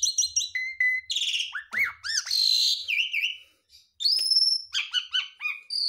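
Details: Javan pied starling (jalak suren) in full isian song, a continuous run of mimicked phrases without pauses: pure whistles, slurred rising notes and quick chirps jumping between pitches, with one brief silence midway before a long high whistle.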